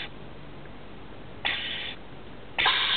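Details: Baby rainbow lorikeets living in a roof, being fed: two loud, harsh, rasping begging bursts, the second longer and stronger, over steady background hiss.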